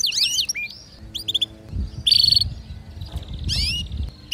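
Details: Home canary, female calling to mate while a male sings; scattered short bursts of sweeping whistles and a brief buzzy trill separated by pauses, over a noticeable low rumbling background.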